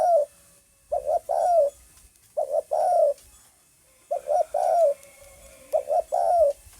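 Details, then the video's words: Low mellow cooing of a spotted dove, 9 May 2020: short note then a longer descending one, in phrases about every one and a half seconds, with faint high hiss behind. "tiếng chim cu gáy cực hay"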